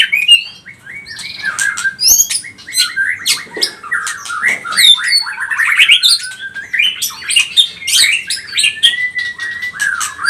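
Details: White-rumped shama singing in pastol style as a lure to rouse other birds. Sharp clicks and harsh bursts mix with slurred whistles, then a long, gently falling whistle.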